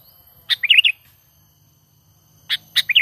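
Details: Natural sooty-headed bulbul calls played as a lure for trapping: a rasping note followed by a quick liquid, bubbling phrase, then another rasp and phrase begin near the end; faint low hum.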